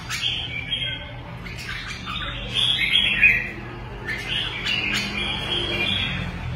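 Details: Red-whiskered bulbul kept as a fighting songbird, delivering bursts of fast, bubbling, whistled phrases repeated several times, with brief gaps between, over a steady low hum.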